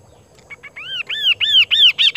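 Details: Kaso-kaso bird singing: a series of loud arched whistled notes, each rising then falling, repeated faster and faster and climbing higher toward the end, over a quiet background hum.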